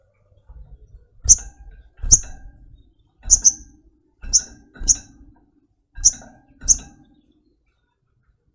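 Crimson Sunbird giving sharp, very high 'tsit' chips, singly or in quick pairs, about seven notes in eight seconds, with faint low knocks underneath.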